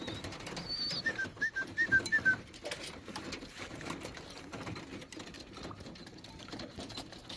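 Young racing pigeons give a quick run of five or six thin, high whistled peeps over about a second, then fall quiet against a steady indoor hiss.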